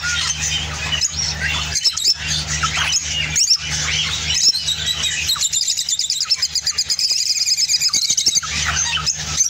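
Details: An Opaline orange lovebird singing, chattering in a rapid, high, squeaky stream of twittering and scratchy notes with short pauses, over a low steady background hum.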